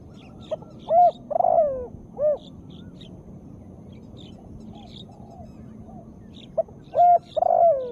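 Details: Female spotted dove calling, used as therapy to spur reluctant birds to sing; two phrases of deep, soft coos, short notes building into a drawn-out purring coo, the phrases separated by about four seconds of faint hiss.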